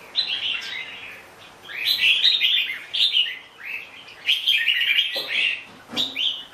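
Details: Chào mào bông, a red-whiskered bulbul, sings separate cheerful warbled phrases about a second long, some ending in sweeping notes. Soft low knocks are heard near the end.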